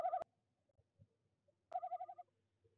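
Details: Tawny owl visiting nest box 1 in De Mortel on 26 January 2021, calling at 19:33 CET during the breeding season, captured by a livestream camera: a brief quavering burst, a pause, then a longer rapid pulsed tremolo of about eight notes, quiet background.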